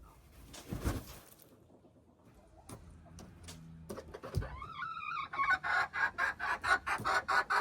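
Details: Hen crowing, recorded 21 January 2025: rustling and knocks first, then a few wavering harsh notes and a fast string of rough, pulsing clucks that grow louder toward the end.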